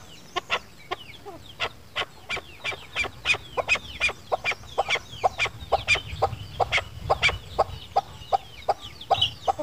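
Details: Chukar partridge call used as a hunting lure: a long series of sharp, clipped 'chuk' notes, roughly three per second, steady and evenly spaced, over a low background rumble.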